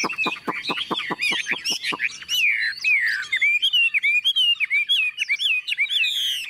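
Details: Tame, newly arrived caged Chinese Hwamei with yellow bill and legs, recorded while heavy rain started. A run of rapid ticking notes gives way to fluid, slurred whistles that dip and rise in quick succession.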